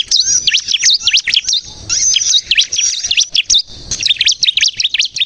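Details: Energetic song of a bar-winged prinia, ciblek kristal style, for luring and getting birds to sing: fast high chirps in three phrases, each note a quick V-shaped sweep, with short pauses between phrases.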